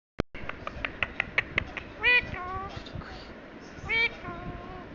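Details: Parrot talking: a quick run of sharp clicks, then two short, bright, speech-like utterances with stacked tones near the two- and four-second marks, and softer voiced sounds between them.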